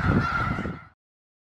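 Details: A large winter congregation of snow geese in Skagit County, Washington, gives a steady, nasal honking din for about a second, with many voices blending over a low rumble.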